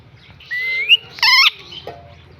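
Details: Village parrot giving one rising whistled note, then a short harsh, buzzy squawk; a low rhythmic hum runs underneath.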